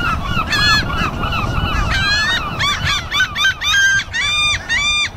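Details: A flock of seagulls calls over and over in the afternoon with harsh, nasal, overlapping cries, several birds at once, over a steady low rumble of wind or surf.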